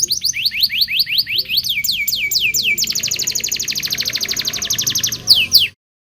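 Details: Local canary in lively song, for teaching young canaries: rising whistled notes speeding into a long rapid trill, over soft low background noise, ending in a couple of sharp chirps.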